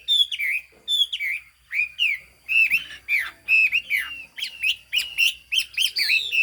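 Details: Highland Chinese hwamei from Hà Giang, Vietnam, singing sharp whistled notes that drop steeply in pitch. The notes come in spaced bursts and speed up into quick doubled phrases near the close.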